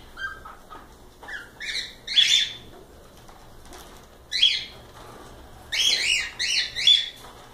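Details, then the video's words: Cockatiels in a live stream, with soft lower whistles at the start, then louder grating, buzzy chirps in scattered bursts and a closing cluster of three rapid rasping calls; faint rustling between calls. "Calopsitas Live Canto dos pássaros"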